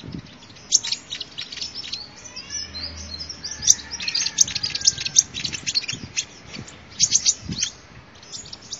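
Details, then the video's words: Sunbird singing, a recording meant for luring birds: dense, sharp, high-pitched chirps and short rapid trills running throughout, with emphatic bright notes around the middle and a low hiss underneath. "tiếng chim hút mật"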